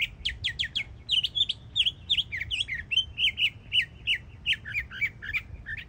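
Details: Young mockingbird in Florida delivering an energetic song of rapid sharp chips, V-shaped whistled notes and slurs, phrases repeated in quick bursts, with a soft low hum behind.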